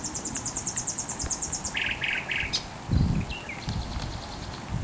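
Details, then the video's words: Thrush nightingale singing on the Żerań Canal on 24 April 2022: a run of rapid high ticking notes, then three buzzy blocks lower down and a few short whistles, over a steady low hum. "Śpiew słowika rdzawego na Kanale Żerańskim"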